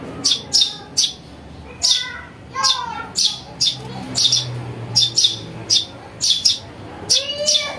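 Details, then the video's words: Lure recording of a house sparrow nestling: rapid series of shrill, high chirps, often paired, steady through the clip, with some faint rising whistles and a low background murmur. "Suara anak burung greja untuk mikat"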